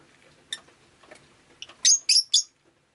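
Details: Rosy-faced lovebird chirping on a rainy day: a few soft scattered notes, then three loud, harsh, high chirps in quick succession, evenly spaced and ending abruptly in quiet.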